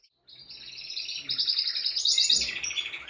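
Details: Male canary singing to rouse a female for mating: a continuous rapid trill that swells louder, rises into a shrill rattling burst, then drops slightly and carries on.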